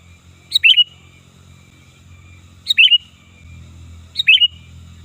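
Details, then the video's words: Sooty-headed bulbul calling loudly and lively, a sound used to lure birds and as tutor material. Three quick chirping phrases ending in a whistle come about 1.8 seconds apart over a continuous low rumble. "Suara Burung Kutilang Gacor Ganas Dan Keras Ampuh Untuk Panggilan Dan Masteran"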